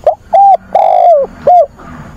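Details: Decoy spotted dove cooing to call for a mate, recorded on a weekend, 24 August: a brief opening note, a flat coo, a long drawn coo that falls at its end, then a short closing coo.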